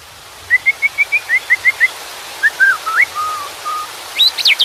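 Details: White-rumped shama singing beside water: a run of evenly spaced short whistles, then lower slurred and falling notes, ending in a few sharp high whistles.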